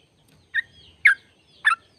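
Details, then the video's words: Sooty-headed bulbul song, played to get kept bulbuls singing. Three separate bubbly, slurred notes about half a second apart, over a faint low murmur. "Jadikan burung trucuk gacor trucukan gacor tempur ropel panjang"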